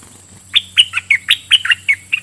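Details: Red-whiskered bulbul kept as a decoy, singing doubled song phrases at wild birds: a quick, lively series of about nine bright, liquid, slurred chirps.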